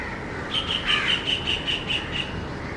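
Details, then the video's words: A young white-throated kingfisher calling its mother gives a quick series of about nine high, sharp chips, roughly five a second, over steady hiss; another adult kingfisher, assumed to be the mother, may call in the background. "Baby kingfisher calling"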